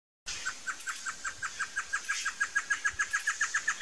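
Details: Great antshrike, red-eyed, a bird of dense low thickets and forest edges: a long series of clear, evenly spaced hooting notes, about three per second, growing louder and slightly quicker over nearly four seconds.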